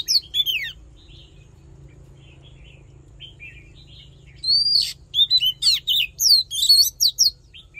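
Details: Oriental magpie-robin fighting song, played for voice training and to fire up male birds: a brief sweeping whistle, near silence with faint soft notes, then a rapid burst of loud, varied, sliding whistles over a low steady hum.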